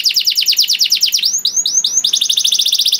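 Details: Master song of a canary used to train young canaries to sing quickly: a fast trill of descending notes, three slower rising whistles, then another rapid, even trill.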